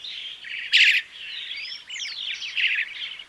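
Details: Song of a crested myna: scratchy chattering notes, a loud harsh burst, then a pair of clear rising whistles and more rasping, squeaky phrases over a faint steady background hiss.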